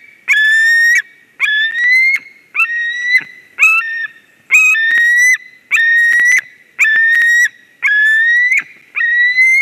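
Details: At a Latvian white-tailed eagle nest in Durbe, 13 August 2023, with a ringed intruder arriving: loud, drawn-out, wheezy whistles rising slightly at the end, repeated almost every second in a steady series.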